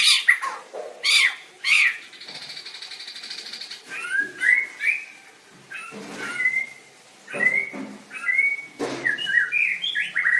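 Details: White-rumped shama in a singing contest, 7/25/16: harsh broadband bursts and a buzzy rattle at first, then a series of clear whistled notes and short upslurs with irregular gaps.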